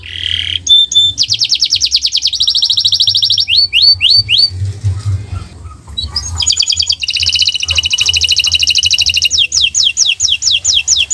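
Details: Canary singing in a training recording: a varied medley of short rolls, buzzy trills and downward-slurred whistles, with a long, fast, rattling trill later and quick sweeping notes at the end. A low hum runs underneath.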